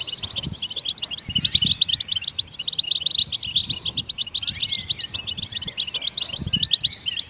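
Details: Goldfinch singing to encourage other songbirds to sing: a steady stream of sharp, tinkling chirps and liquid trills, densely packed, with occasional slurred notes; soft low knocks in the background.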